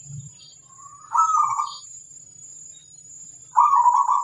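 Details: Zebra dove of local stock in vigorous song: a soft rising lead-in leading into a trilled coo phrase, and a second rolling phrase after a pause, with a faint steady high whine.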